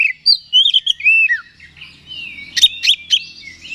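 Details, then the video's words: Oriental magpie-robin singing to provoke rival birds; rich sequence of whistled slurs and warbles, a falling note near 1.4 seconds, then sharp broadband clicks and short notes near the end. "Suara Pancingan Kacer Agar Cepat Emosi Gacor ! Pancingan Paling Ampuh Buat Menaikan Emosi Kacer"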